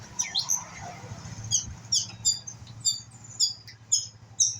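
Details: Young white-rumped shama learning to sing, giving thin, very high squeaky notes in short clusters about every half second, fairly regular, over a low background hum.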